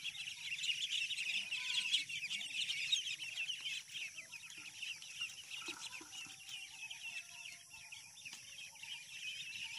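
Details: Flock of ducklings on a farm: constant overlapping high-pitched peeps, rapidly repeated, with faint low background hum.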